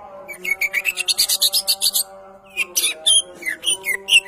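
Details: Champion greater green leafbird: a rhythmic train of about twelve quick buzzy chirps, then varied sharp whistles and squeaks, with steady sustained tones humming underneath.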